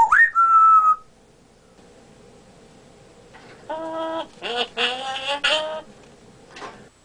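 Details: Male African grey parrot kept as a pet, mimicking speech and burping, opens with a rising whistle that levels off. After a pause comes a run of harsh, harmonic squawk-like sounds.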